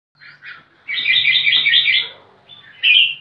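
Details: Red-whiskered bulbul in lively song while seeking a rival to fight: a few short chirps, then a long warbled phrase of bright, chattering notes, ending in a single loud whistled burst. A faint low hum runs underneath.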